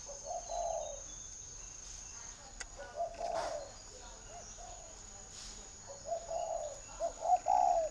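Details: Spotted dove in Ba Vì, Hanoi, Vietnam, uttering low, soft coo phrases at the start, middle and end, the last notes brighter and wavering, amid faint clicks, brief rustles and a continuous high-pitched whine.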